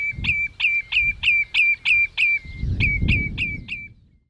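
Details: Common redshank (Tringa totanus) call at Hüde Ochsenmoor, 27 May 2018, 07:10: a run of about eleven loud, ringing piped notes, each sharply down-slurred, roughly three per second, with wind rumbling underneath.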